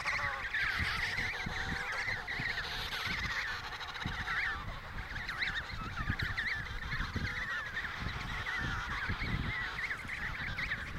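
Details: Emperor penguins in the Riiser-Larsen breeding colony, Antarctica, 72°06 S 15°06 W, November 2010: a dense chorus of many overlapping trumpeting, warbling calls, continuous throughout, over low wind rumble.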